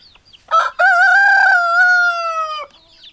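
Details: Rooster crowing once. One long, loud, harmonic crow lasts about two seconds, holding steady and then slowly falling before it cuts off. A short rough note comes just before it. The background is quiet.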